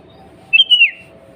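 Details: Sooty-headed bulbul, a female calling the male, a sound used to provoke other bulbuls into singing: one short, bright whistled phrase that slides and wavers, then dips at the end, over a low steady hum.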